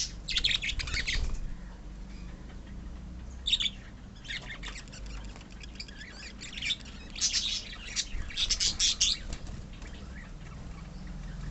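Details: A colony of pet budgies calls in separate bursts of scratchy, high squawks and chirps, spaced by quieter stretches of low background hum, with the busiest cluster late on.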